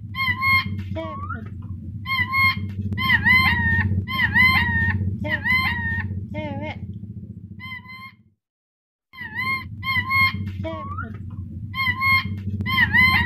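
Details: Black-capped lory squawking on a training recording meant to make a lory speak. Dense runs of bright, buzzy call notes with a few sliding tones come quickly, over a constant low hum, with one brief pause.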